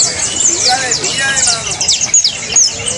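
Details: Saffron finch song played to prompt a caged bird into singing: shrill chirps, sweeping slurs and a few sharp whistled accents over a busy chattering background.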